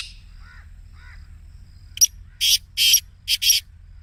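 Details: Black Francolin giving its lively 'masti' voice, played to prompt a caged francolin to start calling; two faint, short notes, then a loud series of five harsh, grating notes in rapid succession.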